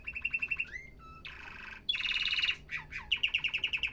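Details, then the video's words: Canary song, said to encourage males to sing: quick trilled notes, a gliding whistle, a buzzy rattle, a dense loud tour, then downward slurs and another rapid evenly paced trill. "تغريد كناري احترافي صوت يشعل الحماس عند الطيور"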